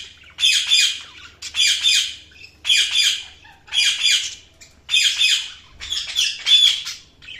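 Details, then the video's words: Budgerigar chatter in six loud, harsh, high-pitched bursts, each under a second long, spaced roughly a second apart with short quiet gaps between. "budgies chirping sounds"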